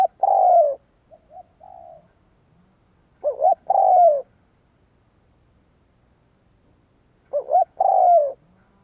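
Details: Spotted dove used as a decoy to stimulate wild doves: three loud two-part cooing phrases, a short double coo then a longer falling coo, about every four seconds, with softer, fainter coos between them.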